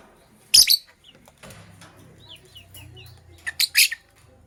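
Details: Sky Blue Opaline and Cobalt lovebirds in the morning: two loud, harsh broadband bursts near the start and end, with faint short twittering chirps scattered between them over a low background hum.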